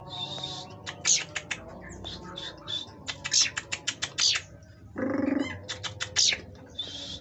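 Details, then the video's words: Oriental magpie-robin at a breeding farm in Kroya village, high sharp chirps and short whistled notes in irregular bursts, with a brief lower harmonic buzzy sound near the middle and faint background hum. "Penangkaran Burung Kacer"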